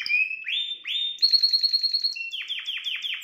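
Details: Canary song aimed at exciting a female bird. A steady whistled note gives way to two rising slurs, then a quick high buzzing trill and a run of five sharply descending chirps.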